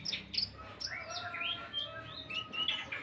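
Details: Olive-backed sunbird singing a song filled with cricket imitations: sharp high chirps open the phrase, then a run of thin rising and falling whistles, with further quick chirps toward the end.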